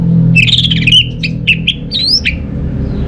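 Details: Orange-headed thrush, kept bird in Singaraja, northern Bali, whose song lures idle birds at home to sing: a short burst of rattling whistles followed by separate clipped notes and a high upswept whistle.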